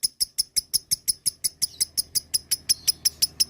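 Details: Lovebird ngekek used as a lure to prompt caged lovebirds to answer. A steady run of sharp, high, clipped notes, nearly three per second, with a faint low hum underneath.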